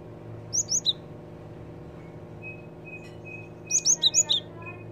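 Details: Java sparrow lure call: three bright high chirps, a pause with a faint steady tone, then a faster burst of five sharp, slurred chirps.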